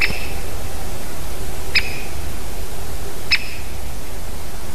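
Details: Great spotted woodpecker calling from a spruce near its nest tree on 25 September 2023 at about 16:45, giving three sharp, high 'tchik' notes about one and a half seconds apart over a steady low rumble.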